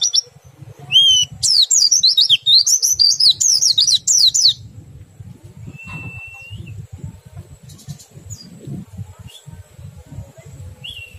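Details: A burst of Oriental white-eye song in the riwik style running into ngerol and nembak, meant to get other white-eyes singing: about three seconds of fast, high twittering zigzag notes, then scattered thin whistles in a quiet background.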